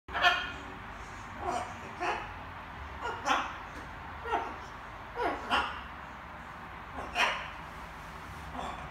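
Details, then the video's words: Young pet macaw babbling in the evening indoors while practising words: short, harsh, voiced bursts with rising and falling contours, spaced roughly a second apart, over a quiet room hum. "Wieczorne gaworzenie małej papużki :), Charlie papuga Ara ćwiczy sobie różne słówka"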